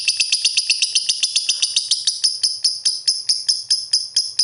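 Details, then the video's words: Lovebird song used as lure audio to prompt lazy lovebirds into singing. Rapid, sharp, high-pitched chirps start quickly, then gradually space out and become more emphatic over four and a half seconds. "Pancingan Suara Burung Love Bird Terbaru"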